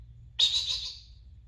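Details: Timneh African grey parrot, a chatty captive pet, giving one breathy, hissing, squawk-like note lasting under a second, noisy and broadband, over a low steady hum.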